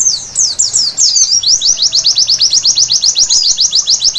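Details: Nocturnal white-eye song: a brief burst of tumbling high twitters gives way to a fast, metronomic run of thin downward-sweeping notes lasting to the end.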